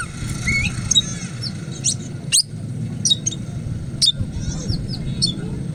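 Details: Oriental magpie-robin, caught wild in forest and since tamed, delivers scattered sharp whistles and rapid chirpy notes between pauses, with a strong rumbling hum underneath.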